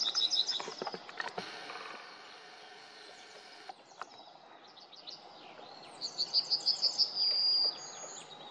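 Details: Eurasian Nuthatch in forest, recorded 27 February 2024: short bursts of rapid, high whistled notes at the start and near the end, the last run ending in a sustained pure whistle, with rustling and other faint bird notes between.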